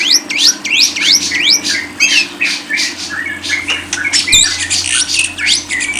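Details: Lovebird song opening with a quick series of steeply rising squeaks, followed by irregular buzzy chatter and chirps over a low hum.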